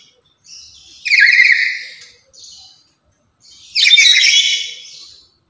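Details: Loud, chatty lory, active daily and kept to lure and tutor other lories: two strong shrill squawks nearly three seconds apart, each preceded by softer brief notes.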